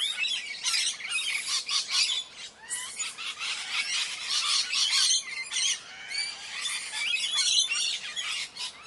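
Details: Parrots in the morning giving a dense, continuous chorus of harsh, scratchy squawks and shrieks, several birds calling over one another with short dips between bursts.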